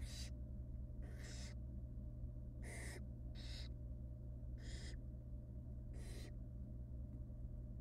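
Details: Wild barn owl nestlings in a monitored nest box, being fed small pieces of rabbit by their mother; harsh hissing screeches, about a quarter to half second each, repeat irregularly roughly every second over a steady low hum.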